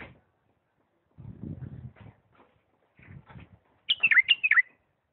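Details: Low rustling and handling noise, then a bulbul from Diyala breaks in with a bright phrase of quick, descending whistled notes in lisanat style.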